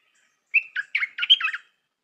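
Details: Singing Stripe-throated bulbul, a new lure bird with a pleasing style, starts with a short whistled note and then rattles off five bubbly, uneven notes in just over a second, in a quiet setting.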